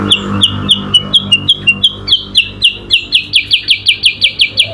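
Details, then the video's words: During an adu kicau song battle between a yellow-eyed babbler (kutilang sutra) and an Oriental magpie-robin (kacer), steady high sliding chips start slightly lower, then rise in pitch and loudness, about four per second. "kutilang sutra SUPER GACOR vs Kacer adu kicau"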